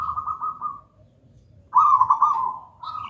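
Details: Local zebra dove of gedang rojo style in song, recorded as a master and lure; a soft trilled coo fades out, a pause follows, then a louder rolling phrase and a short tail.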